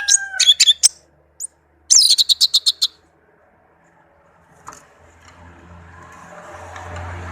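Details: Tame orange-headed thrush in a cage with short bursts of high, sharp chirps and a quick rattling trill, then silence and a rising background hum.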